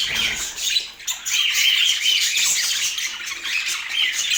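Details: Budgerigars kept as pets in Portland chatter rapidly, with overlapping scratchy squawks and brief clear whistles in a nonstop high twittering stream.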